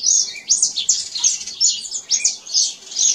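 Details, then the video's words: Canary singing in nature, a continuous high warbling song of rapid twittering phrases and trills, bright and varied, with short bursts repeating roughly twice a second and no other clear sounds. "CANÁRIO CANTADO. CANÁRIO CANTADO NA NATUREZA BIRD SININGING"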